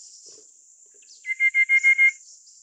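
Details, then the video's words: Rufous-capped Babbler of the Taiwan-endemic subspecies Stachyris ruficeps praecognita giving a quick run of six even, piping notes on one mid-high pitch, about six per second, over a steady high insect hiss. "山紅頭/Rufous-capped Babbler"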